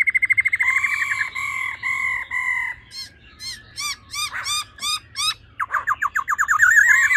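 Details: A female laughingthrush calls 'ro ro' to stimulate a male: a buzzy segmented rattle, then sharp harsh notes repeated roughly three per second, ending in a rising rapid chatter.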